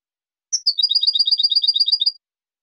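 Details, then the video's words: Short European goldfinch phrase: a clear high opening note followed by a rapid, regular run of bright twittering notes, about one and a half seconds in all. "CD JILGUERO"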